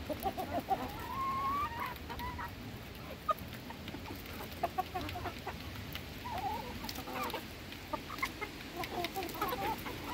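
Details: Hens at feeding time give faint, scattered clucks and short tonal notes, with a brief cluster early on and another a few seconds later, over steady low background noise and occasional sharp clicks.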